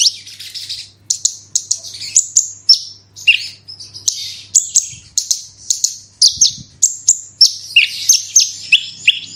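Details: Horsfield's bushlark in energetic 'gacor super roll tembak' singing, used as a lure to set other bushlarks singing: rapid, dense run of high chirps and short whistled slurs, tightly packed phrases without pause, over a faint steady low hum.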